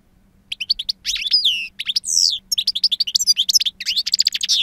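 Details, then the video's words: European goldfinch, a two-year-old bird of pure wild song with strong timbre and long calls: rapid tinkling twitters and buzzy slurred notes, then a fast run of repeated chirps, continuous for about four seconds. "Jilguero Reclamo Canto Silvestre Puro"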